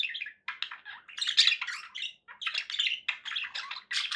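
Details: Pet budgies produce choppy bursts of chirping chatter, short raspy phrases separated by brief gaps, irregular in rhythm, with squawky accents throughout.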